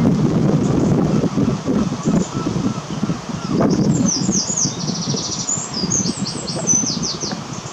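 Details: Dunlin (Calidris alpina) in Invergowrie Bay giving thin, very high calls: short down-slurred notes and a brief buzzy trill in the second half, over heavy wind rumble.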